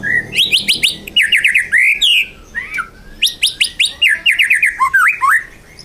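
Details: Caged white-rumped shama in lively full song, prepared for competition: rich whistled phrases mixing rapid rattling trills, sweeping slurred notes and sharp chattering, delivered in quick bursts with short pauses.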